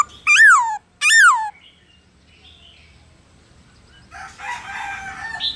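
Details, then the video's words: Black-throated laughingthrush singing in the wild 'forest voice' style, a recording meant to stir caged laughingthrushes into song: two loud, ringing notes that slur downward, followed by a faint, rough chatter. "Khướu Hót giọng rừng"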